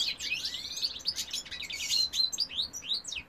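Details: Male European goldfinch singing in 2018: a fast, liquid twitter of sweeping and rising high notes with brief buzzy trills, poured out without pause across the whole stretch.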